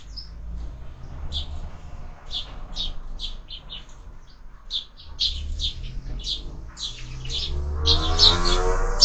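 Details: Sparrows at a feeder fixed to a window, where birds are fed all year: rapid short chirps and tweets in irregular series, with a louder rustling burst near the end over steady low hum.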